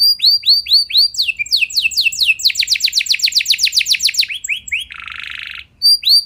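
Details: Canary song intended to rouse other canaries to sing: spaced falling whistles, then accelerating into a dense rolling trill, a harsh buzzy burst, and a few more whistles.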